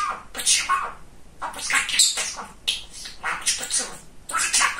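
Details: Talkative male pet budgerigar chattering words indoors, hoarse high-pitched syllables in four or five quick phrases separated by short silences.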